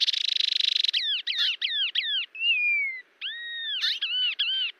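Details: Songbirds of Brazil's Cerrado: a buzzy rattling burst gives way to a series of looping, two-part whistled phrases and one long descending whistle.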